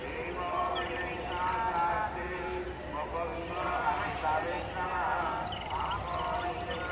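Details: Jungle babblers near a riverbank give harsh, nasal, squeaky chatters in overlapping bursts, while high, steady insect whines and a constant rush of water run underneath.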